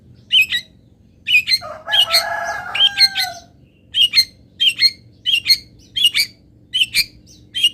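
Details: Local long-tailed shrike filler song meant for training: a run of sharp, scratchy high chirps repeated about every half second. Early on, a longer drawn-out lower crowing-like phrase interrupts, over a low background hum.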